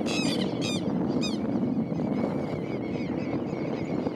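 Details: Pectoral sandpiper on the shores of the Río Salado north of Esperanza, Santa Fe, on 1 April 2017 gives three quick, reedy, harsh notes in the first second and a half, then fainter repeated chips, over steady wind rumble.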